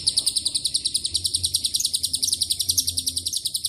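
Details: Shrill continuous ngekek from a lovebird, its song mixed with cililin and canary phrases; fast, regular high-pitched pulses, around three and a half per second, over a short four-second stretch, with faint low background hum.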